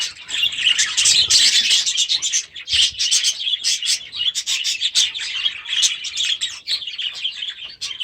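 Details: Several young budgerigars from last year's brood in their new aviary during their first days there; a steady stream of bright, rapid chirps and warbling chatter, many birds calling over one another.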